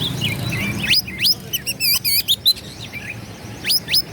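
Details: Oriental magpie-robin song used to provoke rivals into singing and fighting, with tail spread: rapid varied phrases of whistles, sharp upward sweeps and chattering notes, high-pitched, with brief gaps and low background hum.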